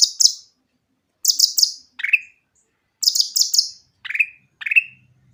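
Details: Grey-bellied bulbul singing clearly as a lure for birds that rarely sing: clusters of three very high, sharp chirps alternate with single lower downslurred notes, the pattern repeating twice, with a faint low hum late on.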